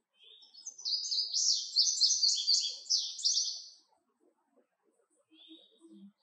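An Indigo Bunting sings a bright, high song of paired, sweet notes lasting about three seconds, followed by a faint lone chip.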